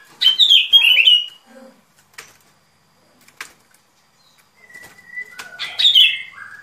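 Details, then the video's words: Sooty-headed bulbul song used as a lure for trapping: a short bubbly whistled phrase at the start, a long quiet gap with clicks, then another warbling phrase with a flat whistle near the end. "Tiếng Chim Bông Lâu Mồi Chuẩn Mp3 || Âm Thanh Đi Bẫy."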